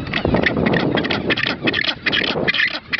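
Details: Magellanic penguin on Isla Pingüino, Puerto Deseado, Santa Cruz, on 18 January 2013, giving harsh, braying, donkey-like calls in quick pulsed bursts over a steady rush of wind or surf.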